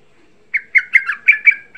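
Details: Young sooty-headed bulbul singing a lure meant to excite other bulbuls into calling: after a half-second pause come six bubbly, slurred notes around the middle pitch range, delivered in quick succession.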